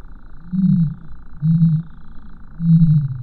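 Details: Deep, muffled booms from a common ostrich, three short low hoots repeated about once a second in a quiet setting.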